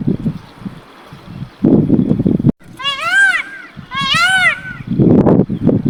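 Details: Peacock giving two loud, nasal, arching wails about a second apart, harmonics stacked high, with muffled voice-like sounds and background rumble before and after.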